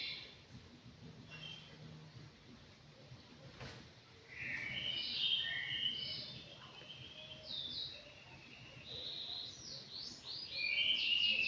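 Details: Five-month-old aviary anggungan: a quiet opening, then a burst of bright whistled phrases, a lull, and a final run of quick, sliding high notes.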